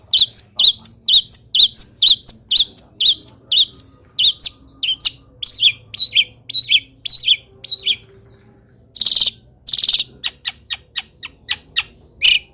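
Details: Long-tailed shrike mimicking wild birds, singing vigorously despite moulting: fast regular chirped phrases about twice a second, a short pause, then loud scratchy notes and sparser sharp chips.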